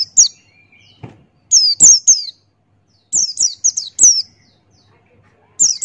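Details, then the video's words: Buxtoni white-eye, a male singing in the ngalas style with open beak, used as a tutor recording: quick bursts of two to four high, sharply falling whistled notes, separated by brief pauses, with a faint low tone between phrases. "Masteran Pleci Buxtoni Ngalas Buka Paruh"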